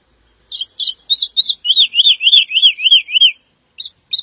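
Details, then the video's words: Singing Woodlark (Lullula arborea): a few hesitant introductory notes building into a smooth series of arched, fluty whistles repeated about three times per second, ending with two short isolated notes; otherwise quiet. "The song of the Woodlark -Lullula arborea -Δεντροσταρήθρα"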